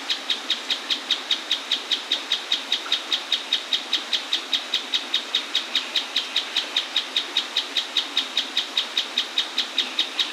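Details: Mouse-colored tapaculo (Scytalopus speluncae) singing very close to a waterfall in Atlantic Forest: a long, steady series of sharp, high notes, about two and a half per second, over the constant rush of falling water.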